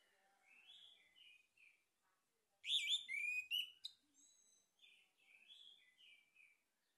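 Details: Male orange-headed thrush song used as a lure to stimulate singing: soft warbled phrases, then a loud burst of rapid, sweeping, whistled and chattering notes near the middle, followed by quieter rambling warbles.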